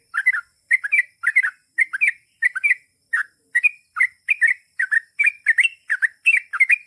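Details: Sooty-headed bulbul song in a steady series of short bubbly phrases, each two or three quick warbled notes, repeated roughly every half second; a faint steady hiss runs through the background.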